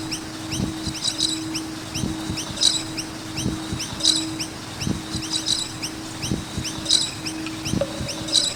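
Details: Noisy miner birds at a skate park chatter with repeated thin rising chirps and recurring brighter bursts. A low continuous hum runs throughout, with dull thuds about once a second.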